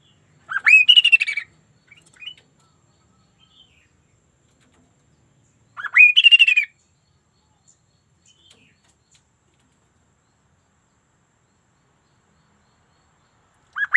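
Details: Sunda laughingthrush delivering loud phrases about every five seconds, each a sharp upward sweep followed by a quick chattering run of high notes, with long silences between.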